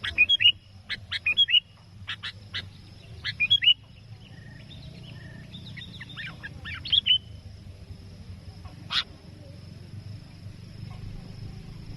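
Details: Sooty-headed bulbul calling to a rival, used for trapping; clusters of buzzy notes with quick bubbly whistles in the first seconds, a softer phrase midway, one sharp click later, then steady low background noise.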